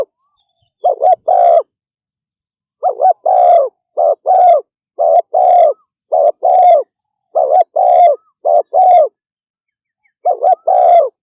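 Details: Speedy 'thúc gù' cooing by a spotted dove: bursts of doubled, hollow mid-pitched coos, short then drawn out, with a pause of about a second before each new run.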